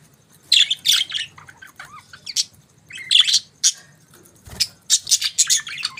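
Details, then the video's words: Morning chirping of budgerigars, loud scratchy chirps and squawks delivered in quick clusters separated by brief pauses, with a few softer warbled notes between bursts. "Budgies Morning Chirping Sounds"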